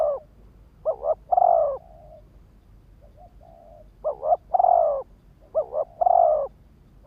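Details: Spotted dove used as a lure for males, cooing in repeated phrases: warbled double notes then a sustained throaty hoot, with a soft quiet murmur between the louder phrases.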